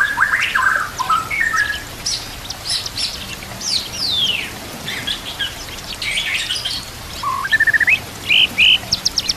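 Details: White-rumped shama training recording with natural sounds and trickling water: varied whistled phrases, bending and sliding notes, then bright rising notes repeated near the end, over a steady rain-like hiss of water.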